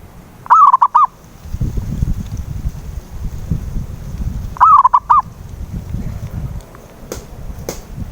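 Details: Zebra dove, a local perkutut, cooing as a lure for a mute dove: two stuttering coo phrases several seconds apart, with a rumbling low noise and brief clicks between them.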